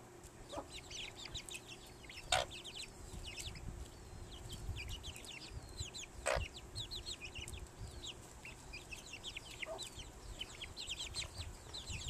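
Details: Flock of chicken chicks feeding on hard-boiled egg at a ranch in Morgan Hill, California: continuous overlapping high peeps, steady throughout, broken by two sharp loud taps and a low background rumble.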